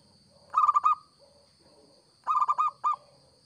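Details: Local zebra dove singing vigorously, recording used as a lure: two bursts of quick, bubbling, staccato coos, each about half a second long, with quiet low coos in between and a faint constant high tone.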